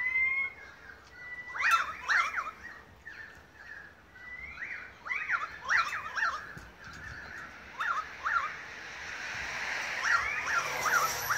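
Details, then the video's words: Group of Australian magpies singing a long concert in Beverly Hills, Sydney, Australia, August 2015; clusters of harsh, overlapping warbled notes repeated through the clip over steady background hiss. "Magpie concert"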